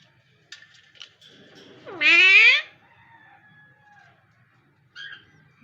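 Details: Parrot that imitates words, loud harsh squawk sweeping upward with stacked harmonics for about half a second, framed by faint whistled notes and brief chatter, in a quiet indoor setting.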